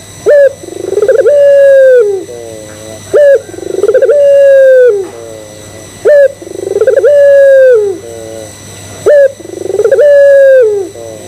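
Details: Puter pelung Barbary dove cooing as a lure to set other doves calling: short rising note, buzzy pulsed trill, long level hoot bending downward, then soft doubled low notes, repeated about every three seconds, four phrases, steady background hum.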